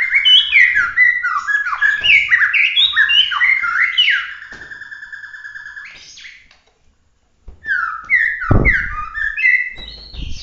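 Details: White-rumped shama of the original Bahorok type giving competition-grade song with 'tembakan' shots: rapid runs of loud, varied whistled and slurred notes, a brief pause near seven seconds, then renewed whistling with one low thump.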